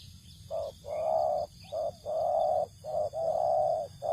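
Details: Spotted dove cooing in a rice field, its call used to lure other doves: low, hollow coos in short-long pairs, a brief note then a drawn-out one, repeated steadily, with faint thin high tones running through the background.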